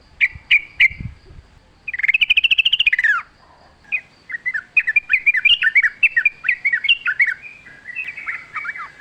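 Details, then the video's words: Sooty-headed bulbul singing actively in wild forest style, a lure for caged birds: three clipped notes, a long buzzy rattling trill, then a lively run of bubbling, varied chirps and slurred notes. "trucuk gacor ngalas full suara alam"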